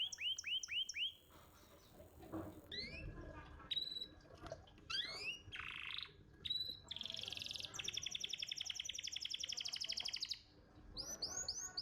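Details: Champion contest canary singing a master song for training young canaries: rapid series of rising whistled notes, then buzzy trills and sweeping chirps in varied phrases, with brief pauses between bursts.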